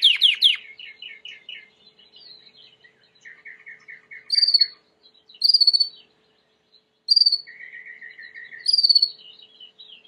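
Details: Timbrado canary song recorded for training: rapid high trills, then lower buzzy rattling rolls and bright repeated metallic bursts, alternating with short pauses between phrases.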